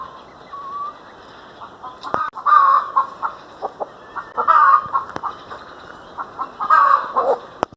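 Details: Pet domestic hen clucking steadily, loud throaty bursts roughly every two seconds over low murmuring clucks, with a few sharp clicks.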